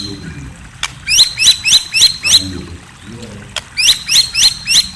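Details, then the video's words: High, sharp chirping of a white-rumped shama heard at night: two bursts of rapidly repeated bright notes separated by a short pause, with soft background noise. "Murai Bird Serenade: A Night of Enchanting Chirps"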